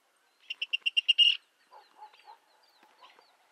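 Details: Virginia rail delivering a quick run of six sharp, evenly spaced high notes that build into a louder harsh burst, followed by softer, lower grunting notes.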